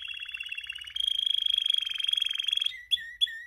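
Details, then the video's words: A male canary sings a fast, bright trill, then a denser, metallic rolling trill of about two seconds, ending in short clear whistles that swoop up and down. "Canto canario | Tu canario macho cantara | CANARIO CANTANDO | CANTE DE CANARIOS"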